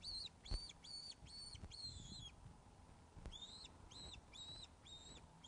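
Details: Webcam sound from the Loch of the Lowes osprey nest, 21 August 2012 at 16:35, fish delivery: a string of five sharp arched whistles, a second's gap, then five more, with light bumps in the background.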